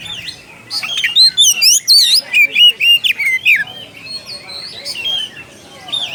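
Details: Oriental magpie-robin calling to a rival, giving a rich varied song of rapid whistled and buzzy notes, sweeping up and down, delivered in quick bursts for several seconds before softer scattered phrases.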